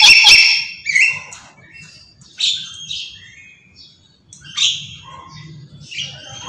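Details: Black-capped lory, a clever and very vocal pet parrot, screaming nonstop: a loud harsh screech opens, then shorter raspy squawks and chattering notes follow in bursts, with a faint low hum underneath.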